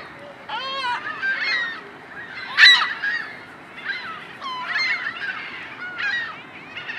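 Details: Iceland gulls at Ashbridge's Bay Park, Toronto, Ontario, Canada, on 15 March 2010, give harsh, nasal, wailing calls, several overlapping in ragged bursts, with a louder squeal midway.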